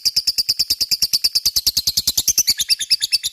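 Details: A lovebird ngekek, used to provoke response from rival lovebirds; crisp squeaky notes rattled off about ten a second, evenly spaced, briefly rising higher in pitch near the end.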